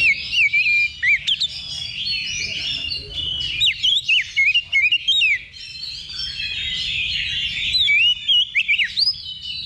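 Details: Practice round before a real contest, a level 2 simulation for Oriental magpie-robins: bright whistled notes and quick slurred sweeps repeat in short bursts, layered over a steady high chatter of many competing birds.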